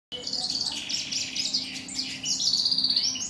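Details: A siskin singing in Kuwait, a fast, high twittering run of chirps and buzzy trills ending in a rapid stuttering series, over a faint low hum.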